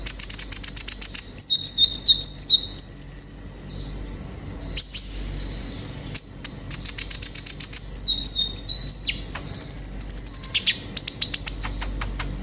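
A sunbird sings in very high, thin bursts: rapid sharp chips running into fast trills and short piercing whistles, repeated in a lively, uneven stream.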